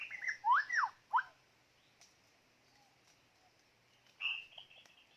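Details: A decoy white-rumped shama, kept for luring birds in trapping, delivers loud, rich downslurred and upslurred whistles. A quiet pause follows, then a softer burst of scratchy notes.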